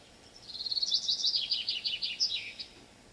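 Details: Mainland European Common Chaffinch song, a common sound in rural areas: a bright run of high repeated notes that quickens, drops in pitch and ends in a short terminal flourish, about two seconds long.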